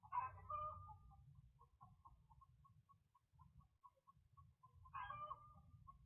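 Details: Chickens heard at 11 p.m. on a security cam in Independence, Missouri, March 3, 2023; a harsh squawk opens a run of soft, rapid clucks, and a second squawk follows near the end, with low rumble throughout.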